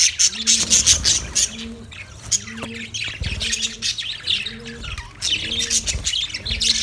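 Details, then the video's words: Parrots chirping on 20 November 2023: a dense, busy chorus of high, squawky chirps and tweets from several birds. Short, lower hooting notes repeat about every second beneath it, with a faint rural outdoor backdrop. "Birds chirping sounds Beautiful chirping sound Parrot"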